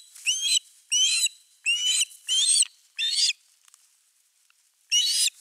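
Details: Osprey at Finnish nest 3 with a fish, 4 August 2024, gives five urgent whistled rising calls in a quick series, then falls quiet apart from faint rustling before one final call.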